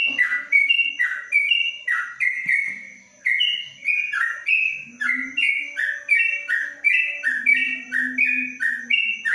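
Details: Caged yellow-vented bulbul (trucuk) from Kebumen, kept in a covered cage, singing the long rapid 'ropelan panjang' style: a nonstop string of loud, bubbly, slurred two-part phrases, each dropping then lifting, about two per second, with no pause.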